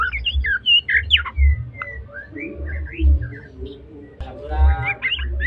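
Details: White-rumped shama of the Medan type, spotted plumage, in full song: varied whistled phrases, quick slurred notes and short trills in irregular bursts, over a pulsing low mechanical hum.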